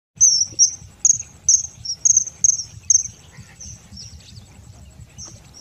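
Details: Common kingfisher at Nal Sarovar, Gujarat, giving a series of sharp, very high, thin piercing whistles, about eight in quick succession over three seconds, then fainter scattered notes; low rumbling background noise throughout.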